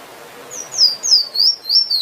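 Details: Finch, called emprit locally, singing: a run of thin, very high, slurred whistles, each sliding downward, about four in two seconds, clean and close with no other sounds.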